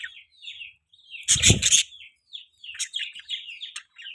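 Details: Loud budgie chirps: short high twittering notes in loose bursts, interrupted by a brief broadband rustle like flapping wings.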